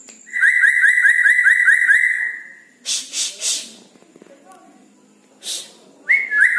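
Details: At night, a red-breasted parakeet gives a rapid string of about twelve identical whistled notes, about three a second, then noisy bursts and a closing rising whistle.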